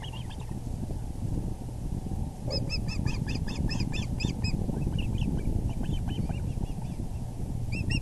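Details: At the VGCC osprey nest, April 6, 2020 at 6:30 pm EDT, the male arrives with a big fish; after a brief chirp, a fast, insistent series of piercing whistled cheeps starts at about two and a half seconds and continues, fainter and looser, over rumbling wind.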